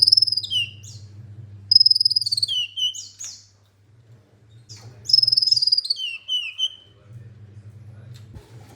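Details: Olive-backed sunbird repeating its song three times: each a sharp, fast high trill that falls into a lower rattling phrase, with sliding chirps between bouts and a low hum throughout.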